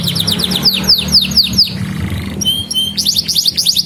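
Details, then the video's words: Energetic canary song for teaching young canaries: a series of sharp descending slurred notes, a brief pause, then clear flat whistles and a quick high trill, over a low background hum. "Kenari GACOR Masteran Burung Kenari PAUD Belajar Bunyi dan Pancingan Kenari Macet"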